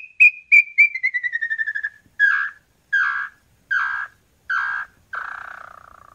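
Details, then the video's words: Red-legged tinamou, a bird of fields and forests, singing clear whistled notes. They start high and step steadily downward while quickening into a rapid run, then give five longer slurred whistles spaced under a second apart, ending with a drawn-out note. "Canto Lambu Pé Vermelho ou Chorona"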